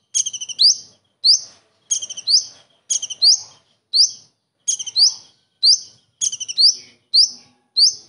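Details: Common iora repeating its tengkek udang material, a copied kingfisher call: quick rattling bursts of high notes alternate with ringing rising whistles, roughly one phrase per second throughout.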